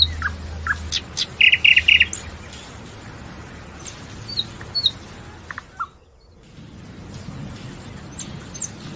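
Nightingale song: varied phrases of sharp chirps and a fast, stuttering run of repeated high notes, broken by brief pauses, over a low background rumble.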